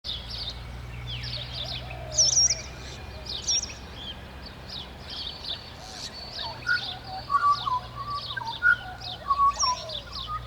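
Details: Pied butcherbird morning song, Southern Queensland, August 2017: a few clear, pure whistled notes, mostly in the second half, set against a dense chorus of high, rapid chirps and tweets from other birds.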